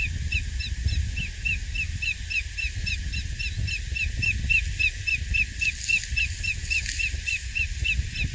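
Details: Recorded in spring, 23 April 2021, in Oregon's Coquille Valley Wildlife Area, a greater yellowlegs keeps up a long, rapid string of whistled notes, three to four per second. The notes are fairly soft under low rumble, with a few brief hissing noise bursts.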